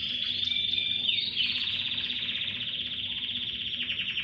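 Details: Chorus of canaries: a few whistled notes and a quick slide lead into a long, even rolling trill, pulsing steadily to the end.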